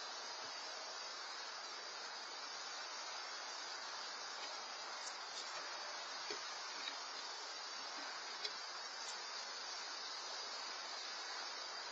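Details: Only a steady broadband hiss is heard, like wind or microphone noise, with a few faint clicks and no animal calls.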